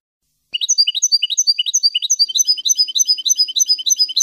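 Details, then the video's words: European goldfinch in a F.O.C.S.E. song lesson for novice goldfinches: a continuous rapid twitter of bright paired chirps, almost two per second at first, then a denser tinkling flow. "CD JILGUERO F.O.C.S.E 30min para educar a jilgueros noveles. Chardonneret Goldfinch"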